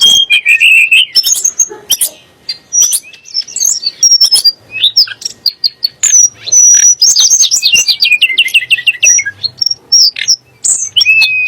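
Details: Varied Sunda blue robin song for provoking magpie-robins and shamas into singing: a dipping whistle, scattered high thin notes and chips, then a descending cascade of quick repeated notes and a final clear whistle.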